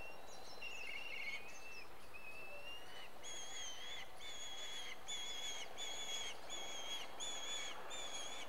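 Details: A black kite in India, recorded during mating, gives high, thin wavering whistles, then a string of clear, ringing notes about once a second, over soft outdoor noise.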